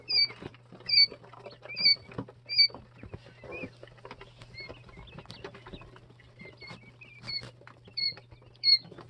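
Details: Jumbo White Quail chicks, two and three days old, give clear high peeps, slightly rising then falling, in short bursts of two to four, amid soft scratching and pattering of feet.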